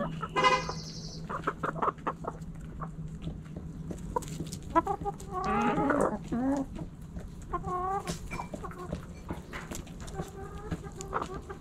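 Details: Backyard chickens, hens and roosters pecking and scratching; an opening squawk, then repeated short clucks and a rising drawn-out cackle midway, with clicks of scratching and a faint constant low hum.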